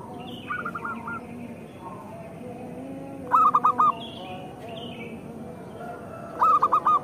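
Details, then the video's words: Local Indonesian zebra dove singing, used as a lure so that reluctant birds start calling. Two crisp four-note coo phrases come about three seconds apart, after a fainter, more distant phrase at the start. "Perkutut lokal gacor naikin birahi lawan agar gacor"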